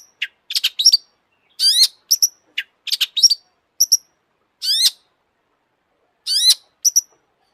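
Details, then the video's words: Excited, vigorously singing long-tailed shrike: sharp clipped chips mixed with rising buzzy slurs and bright whistled notes, delivered in short bursts separated by brief pauses. "kicau burung cendet gacor FULL EMOSI"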